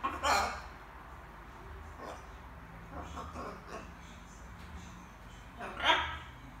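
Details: A young macaw's quiet evening word practice: a loud opening syllable, soft mumbled chatter in the middle, and another strong burst near the end, over a gentle indoor drone.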